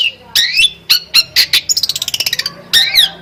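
A long-tailed shrike sings harsh, scratchy high notes, then a rapid run of about a dozen quick descending chirps, and finishes with more rasping phrases.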